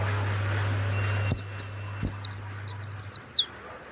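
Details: Kept warbling white-eye with a loud 'ngeplong' song: after a low hum and a couple of clicks, a rapid series of about nine high, thin, sharply descending whistled notes, evenly spaced, fading at the end.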